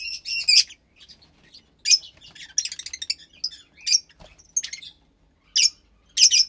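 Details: About 15 days old, a Fischer's lovebird chick bred in captivity from a lutino and pastel blue pair calls in scattered high, harsh squeaks and short stuttered chirps separated by quiet gaps.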